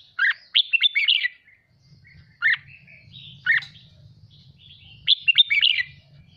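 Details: Caged red-whiskered bulbul in song training, excited: a quick run of bright warbling notes, two single sharp chirps, then another chattering burst; low hum in the background.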